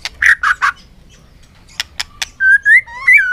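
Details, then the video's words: White-rumped shama singing in a contest under afternoon sun: three mellow whistled notes, a few clicks, then a smooth rising whistled phrase. "chòe lửa căng lửa hót đấu siết nắng chiều"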